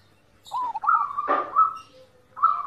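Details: Zebra dove song for training birds to sing: a few rolling coos run into a sustained trill broken by a harsh burst, then another trill starts near the end.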